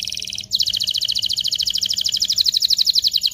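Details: Canary song to excite females and males for mating: after a brief trill, a loud rapid even trill of high pulsed notes runs steadily to the end.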